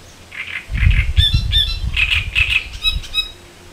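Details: Great reed warbler along the Elbe river in Germany, loud rasping, chattering phrases repeated rapidly in an irregular series, with low rumbling wind or handling noise underneath.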